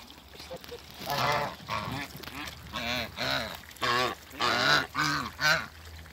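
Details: Mature pair of Toulouse geese meeting again after being moved in a crate: a run of loud nasal honks, about one per half second, rising and falling, with some splashing or pouring water behind.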